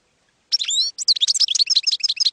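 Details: European goldfinch song in the campero style, meant for educating young goldfinches: after a short silence, a drawn-out buzzy note, then quick tinkling chirps repeated at a fast, steady pace.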